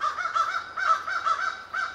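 A crow gives about five harsh, hoarse caws in two seconds, each a short rasping burst repeated at an even pace, over a faint low hum.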